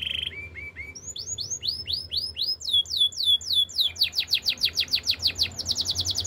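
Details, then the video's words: Canary song for training: short low notes lead into repeated falling whistles that quicken, ending in a rapid even trill of clipped notes. "The most powerful canary training song"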